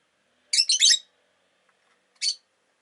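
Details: Rosy-faced lovebird (Agapornis roseicollis) giving a quick burst of three harsh, high chirps, then one more after a short pause; the recording may include street noise such as cars and motorbikes.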